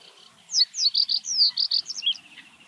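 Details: Common reed bunting (Emberiza schoeniclus) singing in Uitgeest, the Netherlands, with a sedge warbler in the background: one short, loud phrase of about eight high, sharp notes, the first few slurred downward and the rest clipped, over faint chatter.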